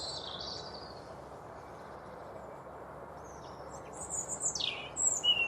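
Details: Territorial song of a European robin on a Derbyshire trail near Chesterfield, UK: a soft high opening phrase, a long pause, then a sweet descending slurred whistle and thin high notes building toward the end, steady low ambient noise beneath.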